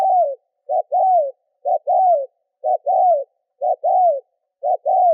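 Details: Lure spotted dove coos to draw wild doves: evenly spaced low phrases, each a brief note followed by a longer sliding-down coo, repeated roughly every second against silence.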